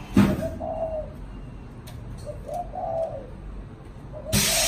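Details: Cooing caged spotted dove in the "thổ chạm đồng" manner: a few mellow coo notes in sequence, bracketed by loud knocks or bumps at the start and end.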